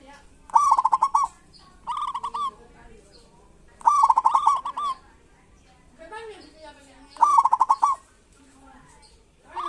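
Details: Zebra dove of local stock in full song for luring quiet doves. Loud, rapid, purring trill phrases recur about every three seconds, each followed by a softer shorter echo phrase.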